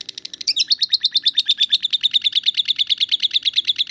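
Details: Lovebird in ngetik style: after a brief squeaky flourish, a steady series of loud, rapid typewriter-like chirps.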